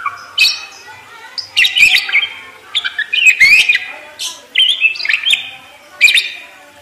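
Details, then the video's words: Parakeet song delivered as scattered bursts of chirps and warbling slurs, roughly every second, with some scratchy noisy notes mixed in and quieter gaps between phrases. "ISIAN PARKIT FULL MEWAH"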